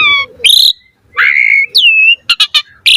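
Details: Asian pied starling singing a varied 'gacor full isian' song, used as a lure to stimulate other starlings: low stacked whistle, bright rising note, a long level whistle, a falling slurred whistle, then quick harsh bursts.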